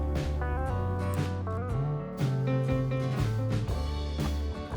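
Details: Plucked guitar music with a bluesy, country feel plays throughout, with no animal sounds.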